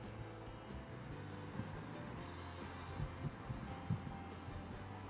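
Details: Music plays over a low, steady rumble of background noise, with a few soft thumps and no animal voices.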